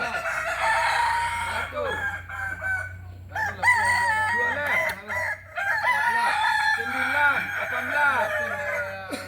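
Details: Kukuak Balenggek rooster, a West Sumatran Solok bird, crowing in segmented phrases broken by short silences. Strong harmonic tones rise and hold, while bouncing curved notes repeat below them.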